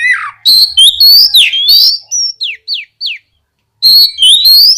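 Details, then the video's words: Oriental magpie-robin singing to provoke other magpie-robins into song: rapid varied whistles and chatter, then three clear downward-slurred notes spaced evenly, a pause, and another dense rising phrase. "TERAPI SUARA BURUNG KACER GACOR NGEPLONG BUAT MEMANCING KACER BAHAN AGAR LEKAS BUNYI NYAUT & GACOR!"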